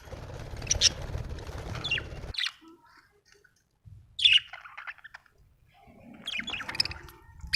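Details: Happy budgerigar chirping, a bird of Australia: three short, bright, sharply falling chirps spaced a few seconds apart, with a low rumbling background noise during the first two seconds and quiet gaps between calls.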